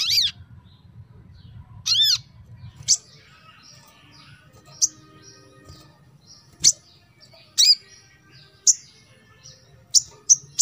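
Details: Ruby-cheeked sunbird giving sharp, very high chirps and thin squeaky notes, spaced irregularly about a second apart, over a faint low hum; used to stimulate captive sunbirds that rarely sing.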